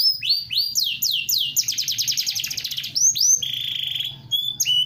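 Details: Yorkshire canary singing a varied, loud song: quick rising whistled sweeps, then a fast buzzy trill, a steady held tone and more upward slurs, with a faint low hum underneath.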